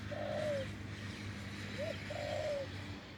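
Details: Wild spotted dove with a deep voice, heard during decoy luring on a branch: two low, mellow coo phrases, each a short rising note then a longer falling one, over a steady low hum.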